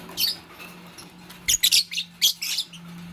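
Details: Green Fischer's lovebird, kept with a pastel bird, chirping while making a nest. Short bursts of high, scratchy chirps come in quick clusters over a steady low hum.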